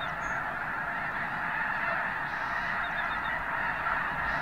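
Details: Arctic white geese by the thousands taking flight at Summer Lake Wildlife Area in Oregon; steady massed honking blends into a constant chorus, with a few faint higher chirps above it.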